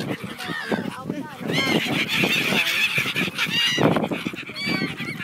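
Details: A flock of Brown-headed gulls in breeding plumage at Bang Pu, 12 April 2012, set to fly back for pairing, gives a dense chorus of hoarse, rising-then-falling squealing calls that overlap continuously, with some voices and low noise beneath.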